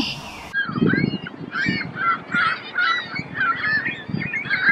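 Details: Canada Geese in Québec give a rapid run of nasal honking calls, several voices overlapping, with low rustling and thumps underneath.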